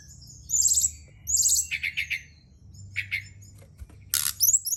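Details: Night lure recording of a Brown-chested jungle flycatcher for kept birds: short high buzzy phrases alternating with lower rapid chattering notes, separated by brief gaps, over a steady low background hum.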